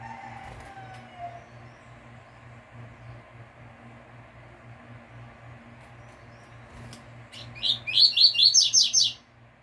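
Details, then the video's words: Pure "tui tui" fibra song of a caged double-collared seedeater, played to bring young birds into song: long near-silence with hum, then a fast, evenly spaced series of high, sharp notes in the final two seconds. "Coleiro TUI TUI FIBRA canto bitola puro"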